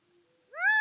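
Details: Gambel's quail: soft low steady tones, then a loud, rising, harmonic-laden nasal note that is still sounding when the recording ends abruptly.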